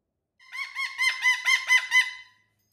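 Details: Pet cockatoo performing on a TV stand indoors, letting out a rapid run of about eight rasping, harmonic-rich squawks that rise and fall slightly in pitch, building in loudness over two seconds.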